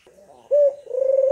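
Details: Spotted dove call played to prompt a lazy caged dove into calling, one short loud coo note followed by a long, steady, pulsing low hum.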